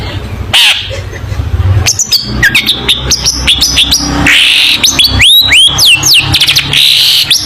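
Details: Long-tailed shrike singing strongly in a recording for teaching young shrikes. Rapid sequence of sharp chips and high, rising then falling whistled slurs, growing busier and louder toward the end, over a low hum.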